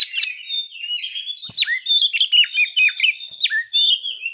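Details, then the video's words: Song of a White-rumped shama meant to spur breeding readiness and aggression: fast, warbled whistles sliding up and down, dense and unbroken, with one short click near the middle. "pancingan agar kacer capat birahi dan emosi terampuh"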